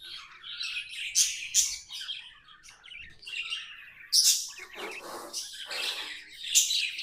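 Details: Pet budgerigars, more than one, giving a chattering warble of buzzy, scratchy notes mostly high-pitched, broken by loud sharp chirps around one, one and a half, four and six and a half seconds, with quieter rasping passages between.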